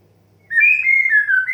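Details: White-rumped shama song in the 'desahan' (sighing) style, used as therapy to get young, stressed and untrained birds singing. After half a second of quiet, one loud whistled phrase of sliding notes slowly descends, then lifts at the end.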